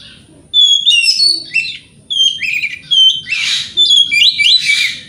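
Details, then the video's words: White-rumped shama singing in the morning to provoke rival birds into answering; loud bursts of varied whistles, rapid trills and harsh buzzy notes in quick phrases with short pauses. "Pancingan Kacer Gacor Pagi Hari Bikin Lawan AUTO NYAUT!!!"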